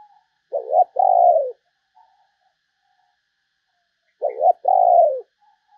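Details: Decoy spotted dove calling to attract other doves: two identical soft phrases, each a quick bubbling note followed by a sustained, gently dropping coo, separated by roughly three and a half seconds of quiet.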